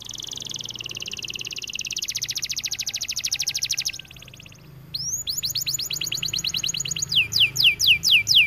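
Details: White AF canary singing vigorously, shifting between phrases: a steady rapid trill, a faster buzzier section, a short pause, then a run of loud downslurred whistles that grow more widely spaced.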